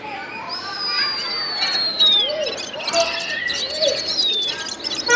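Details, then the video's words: Gulsar bird singing: long, high, clear whistles that slide slowly downward, interspersed with short chirps, with voices and other lower sounds in the background throughout. "Gulsar bird singing ګلسر مرغی"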